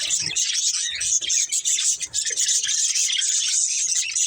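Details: A budgie family of pet budgerigars chirping in a continuous high, hissy chatter of many overlapping squeaks, with faint low knocks in the background.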